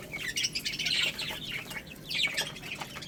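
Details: Chicks eating rice, with a cluster of bright, high peeping chirps in overlapping runs and light background clicking.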